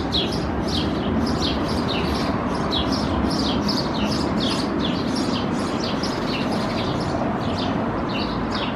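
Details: Male house sparrow (Passer domesticus) hopping in front of his nest in a building facade crevice, Helsinki, Finland, May 2021, giving a steady series of bright, short chirps over a constant low rumble.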